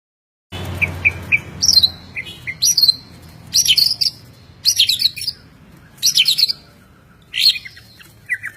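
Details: White-rumped shama, Medan type, singing short bursts of high, sharp whistled and chattering phrases separated by pauses of about a second, over a steady low background hum.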